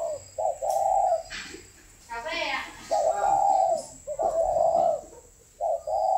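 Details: Spotted dove held by a breeder, giving repeated mellow coos, short note then longer one, in three phrases, while a person briefly speaks between them indoors.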